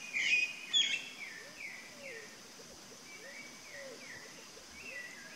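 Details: Chalk-browed mockingbird: two loud sharp notes at the start, then soft downslurred phrases spaced out, with faint low whistles underneath.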